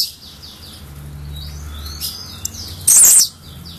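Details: A single loud, harsh, buzzy song burst from an albino blue-black grassquit near the end, with faint high whistled notes of other birds around it.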